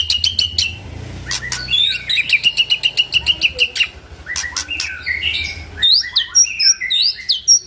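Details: White-rumped shama in song used to provoke other shamas: clicks and whistles open into a fast run of repeated notes, then rising phrases and high ringing whistles, over a faint low hum.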